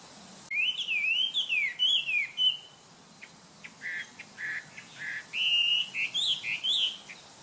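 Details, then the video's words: Chinese hwamei, a popular cage bird in China, singing a varied run of loud, clear whistled phrases that slide up and down, followed by short harsher notes and more rising whistles. "Zagateiro - da - China - Canto"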